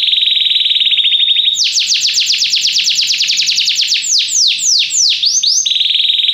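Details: Belgian canary singing to teach other canaries: an even, buzzy trill switches into a long cascade of fast down-slurred whistles, a few deeper swooping notes, and then returns to the steady trill.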